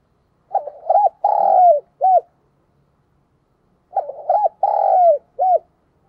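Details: Decoy spotted dove calling to draw in wild doves, giving two matching phrases about three seconds apart, each a stammered pair of soft coos, a long sliding note that drops away, and a brief final coo, against silence.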